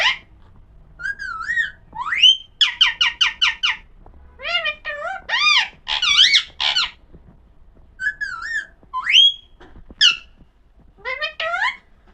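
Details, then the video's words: A talking Alexandrine parakeet speaks in shrill, whistled syllables: rising slurs, rapid stuttering bursts and warbled phrases in short groups, with little else heard. "pahadi parrot talking video"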